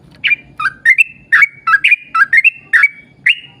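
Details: Yellow-vented bulbul in long rapid song, used to lure other bulbuls into singing: loud, clear whistled notes, each swooping up then holding level, repeated in a quick chattering series about three times a second.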